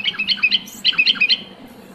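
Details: Sooty-headed bulbul song used to prompt lazy bulbuls to sing: two quick, bubbly phrases of bright, liquid chirps about a second apart, over a faint low hum.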